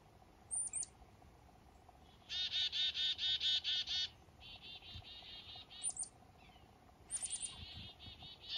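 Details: Wild black-capped chickadees calling on a foggy morning up north during a fishing trip: thin, high descending chick notes, then a steady run of about eight harsh, buzzy dee notes, with further dee series and high notes following.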